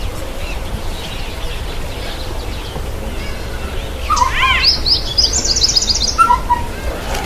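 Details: White-bellied sunbird bathing: after a quiet stretch, a quick high trilled series of sharp notes follows some arched, slurred chirps from another bird, over constant low outdoor hum.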